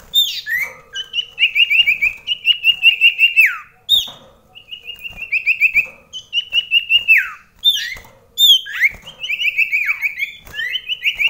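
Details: Common iora (sirtu) singing against a rival at very close distance indoors while rain fell daily: level whistled trills of rapid pulses, punctuated by high sharp notes that plunge steeply downward, repeated in cycles of a few seconds.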